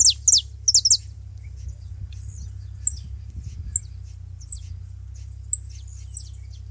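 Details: Saffron finches at a feeding spot: two pairs of quick high notes sweeping downward open the recording, followed by scattered thin chips against a steady low drone.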